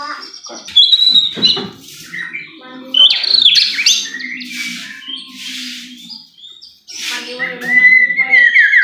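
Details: White-rumped shama song played as a lure to make a bird sing eagerly: rich mix of whistled slurs, sharp chips and buzzy bursts, pausing mid-clip, then a long falling whistle.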